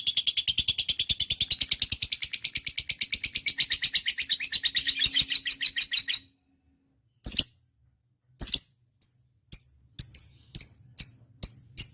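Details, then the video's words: Lovebird described as 'auto nyaut', singing readily: six seconds of dense, rapid, shrill chattering song, a pause, then scattered single and doubled sharp chirps. "Love bird - auto nyaut"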